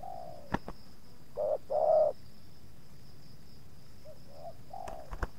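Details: Spotted dove luring wild doves, with two wild birds approaching and slight resistance from the second. One clear short-long coo pair, fainter soft coos, and scattered sharp clicks.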